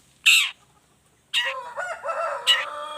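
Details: Long-tailed shrike, 'toet toet' lure variation: one loud rasping note, then a harsh note running into a scratchy warbled phrase and another grating call.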